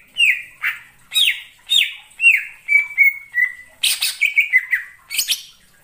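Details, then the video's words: Wild greater green leafbird in forest, giving loud separate downward-slurred whistled notes about every half second, then a quick string of level notes and scratchy high bursts near the end. "suara cucak ijo di alam liar_ijo hutan"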